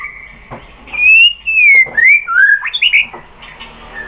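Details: White-rumped shama (murai batu) lure song for prompting a rival to sing: clear, rich whistled notes slurring upward and downward, then a burst of quick phrases, with a faint whistle fading at the end.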